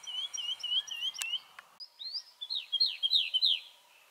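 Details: Woodlark song in summer heat as pomegranates swell on the trees: a quick run of liquid, warbling notes, then a series of sweet, falling slurred whistles repeated about three times a second.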